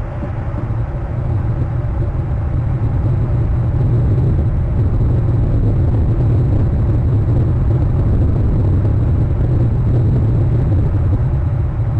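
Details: Steady low rumble like a running engine or traffic on the Hornby Island eagle nest and territory camera, with no animal calls heard.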